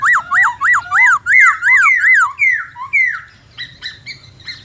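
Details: Black-throated laughingthrush (khướu bạc má), 'forest voice' song: a rhythmic series of sharp up-and-down whistled notes, about three per second, fading into softer slurred notes and faint high chips.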